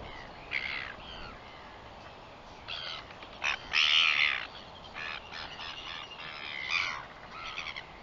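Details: Northern royal albatross, recorded 21 September 2021, possibly at Tiaki and Plateau, giving harsh, hoarse, wheezy bursts in irregular clusters, the loudest near the middle, over a steady background hiss.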